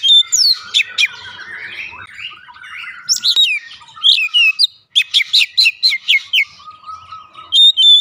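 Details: Oriental magpie-robin song used as a lure to set other birds singing: loud, varied whistled phrases, sweeping slurs and sharp chirps bursting out several times a second, with brief pauses between bursts.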